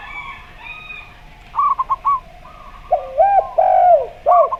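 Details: Zebra dove song in slow style, paired with a spotted dove singing gayer style: a brief stuttering string of short higher coos, then lower, rounded coos rising and falling in quick succession, with a constant faint hum behind.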